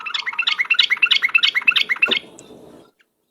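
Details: Yellow-vented bulbul in a very vocal ropel lure song: a fast, even rattle of sharp bright chirps, around three per second, ending with a soft thud and fading hum.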